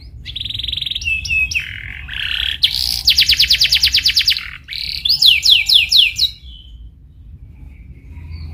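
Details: Canary song used as a lure to prompt another canary to sing and learn: a varied run of high phrases, a steady trill, rapid buzzy pulsed rolls, then a series of quick descending sweeps before fading into faint background hum.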